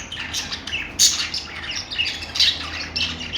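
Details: Budgerigars chirping: a busy, overlapping chatter of scratchy squawks and short high chirps from several birds, with sharper louder notes about every second.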